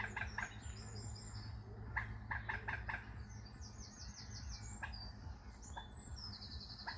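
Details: Waterbird calling on a British waterway by boat: rapid bursts of sharp clipped notes early on, then spaced single calls, while another bird gives high whistled trilled phrases above a low continuous engine-like rumble.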